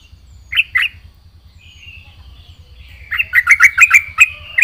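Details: Yellow-vented bulbul in full, vigorous gacor song with isian: two sharp chirps, a short thin whistle, then a rapid run of five or six loud clipped notes and a final chirp, over a steady low hum.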